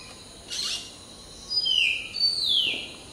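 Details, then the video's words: Preening hill myna singing in the dawn chorus: a brief rough burst, then two strong, clear whistles, each sliding downward, with a steady high hum behind them. "Hill Myna Serenade: Preening, Singing, and Morning Symphony"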